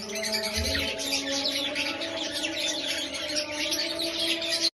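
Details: Caged budgie giving a steady stream of high, scratchy chirps and warbling twitters, dense and continuous throughout, with a faint steady tonal hum underneath.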